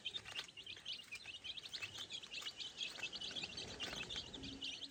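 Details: Baby chicks scratching the farm ground as they search for food produce a busy chorus of sharp, high peeps, each short and falling, over quiet background noise.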